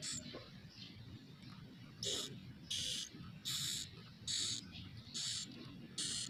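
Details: Swiftlet chicks recorded inside a swiftlet house give harsh, hissing rasps in short bursts, roughly one every second, over a low background hum.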